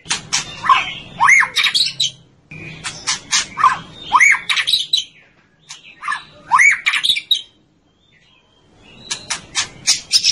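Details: White-rumped shama (murai batu) singing: bursts of rising whistled notes mixed with sharp clicks and harsh buzzy elements, in phrases about two seconds long separated by short pauses, ending after a near-silent gap.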